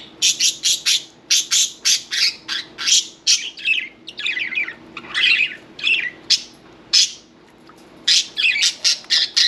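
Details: Pet budgerigar chattering indoors in a fast run of bright, scratchy chirps and warbles, nearly continuous with brief pauses, over a faint low hum.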